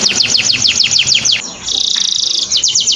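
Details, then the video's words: Canary song played as a tutor for training birds: quick repeated downward-sweeping notes, a brief pause, a steady high buzzy trill, then more falling notes, over a noisy background hum. "Masteran Burung kenari"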